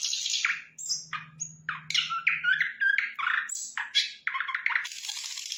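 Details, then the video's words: Flycatcher, sikatan londo, singing energetically: harsh buzzy notes mixed with chirps, slurred whistles and squawky phrases in a fast continuous run, ending in a long high rasp, with a faint low hum early on. "Sikatan Londo Gacor"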